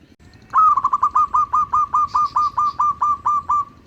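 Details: Lure song of a local zebra dove, meant to draw in other zebra doves. One long, unbroken phrase starts with a strong note, then about a dozen evenly spaced, rapid cooing pulses at steady pitch. Faint high twittering sits briefly behind it.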